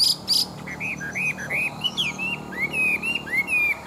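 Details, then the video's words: Big wild-caught Chinese hwamei, kept as a fighting bird, sings a string of clear slurred whistles, some rising, some falling, after two sharp high notes at the start. "Họa Mi Bộ To, Chim Già Rừng Chất Giọng Rừng Rất Hay, Chim Đấu Xòe Bản Lĩnh Đấu Tốt"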